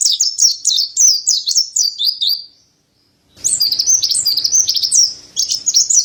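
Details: Mountain white-eye, known as pleci dada putih, singing for cage-bird training: a run of rapid high twittering, nearly a second of silence, then more shrill warbled phrases over a faint hum.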